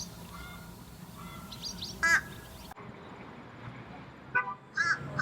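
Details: Fledged young American Crows in early summer, still fed by their parents in the eastern U.S., give begging calls: short, nasal, wavering calls in three bursts about a second or two apart over a soft low hum of distant traffic.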